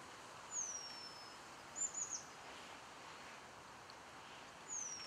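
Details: Eurasian penduline tit finishing building its nest at Källtorps wetlands near Falkenberg, Sweden, in 2013; three thin, very high, drawn-out descending whistles spaced a few seconds apart over steady background hiss.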